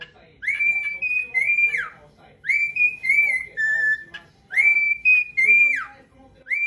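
A cockatiel whistles a clear, tuneful phrase of level and gently falling notes, then repeats it three times about every two seconds.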